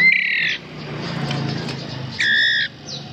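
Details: Hand-fed white-rumped shama chicks, about 11 days old and possibly all males, give two harsh, raspy begging squawks about two seconds apart, each half a second long, over a low indoor hum.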